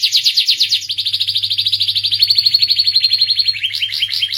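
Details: Canary song moving through several rapid trills, from choppy sweeping notes to a smooth, fast even roll, ending with slower looping notes; a faint hum in the background.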